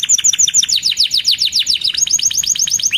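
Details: Fast, energetic canary song of rapid descending chirps in tight repeated series, shifting into a slightly higher, quicker run toward the end.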